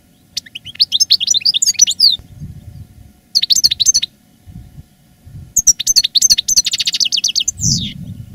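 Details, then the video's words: Caged master goldfinch singing reclamo-style song live in 2017, growing strong after the moult: long runs of quick high twittering and liquid notes broken by short pauses, ending in a buzzy trill, with soft low thumps. "Canto del jilguero "el arrugao""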